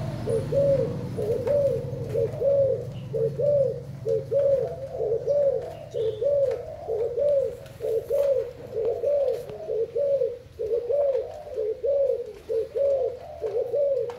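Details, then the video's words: Thai-type spotted dove giving a long run of mellow, low, arched coos, grouped in regular paired phrases roughly every second, with faint background hum. "Cu gáy thailand"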